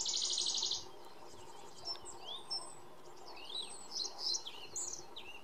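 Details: Iberian pied flycatcher singing in the Sierra de Piedrahita, Central Spain, 4 May 2014. The song opens with a loud, fast series of high repeated notes. Sparse slurred whistles and chirps from surrounding birds come after it.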